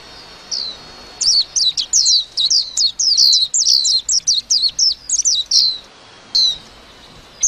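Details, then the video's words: Warbling white-eye delivering a sustained twittering song, a continuous run of rapid, high, downslurred chirps lasting nearly five seconds, framed by single thin notes at the start and end. "tiếng chim vành khuyên hót líu lo"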